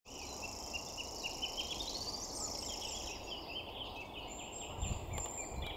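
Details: A common grasshopper warbler (Locustella naevia) at Pennington Flash, Leigh, on 28 April 2020 gives a high, unbroken, insect-like reeling song like a spinning fishing reel, with other birds' whistled notes and steady background noise.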